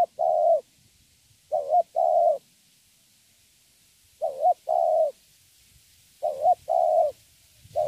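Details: A young wild-caught spotted dove cooing in the thổ style, giving steady double phrases of a short curling note and a longer level coo, roughly every two to three seconds, near silence between.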